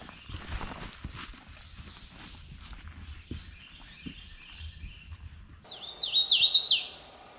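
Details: Hooded Warbler at Bee Rock Campground, Daniel Boone Forest, Kentucky, bursting in very close to the microphone with a loud, clear, slurred whistled phrase after several seconds of quiet woodland ambience and faint distant birds.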